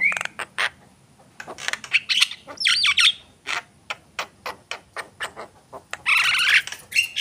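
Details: Javan myna song with irregular dry clicks, harsh squawking bursts and grating chatter, louder rasping phrases near the start and end.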